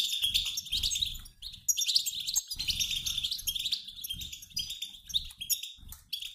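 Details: Mixed flock of male and female European goldfinches twittering together, like flocks in flight, used to prompt males to sing; dense, overlapping high chirps and trills run continuously with brief gaps, over faint low rumbling.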